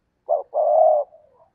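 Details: Spotted dove kept as a decoy to draw in wild doves: one short low coo followed by a longer, steady, hollow coo, then a faint trailing note.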